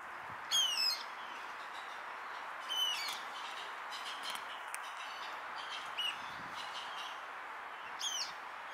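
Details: A common moorhen in Tivoli landscape park, Ljubljana, on 2 September 2022 gives four short, harsh, crackling calls spaced a few seconds apart over a steady background hiss.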